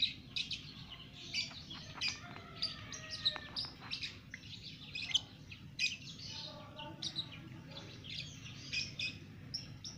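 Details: Lovebird two months old singing ngekek in a cage; dense continuous chatter of thin squeaks and scratchy chirps, fairly soft, with steady low hum.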